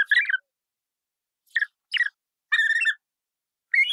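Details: Colourful parrot giving short harsh chirping calls in five bursts, clustered mostly between mid and high pitch, with silent gaps between them.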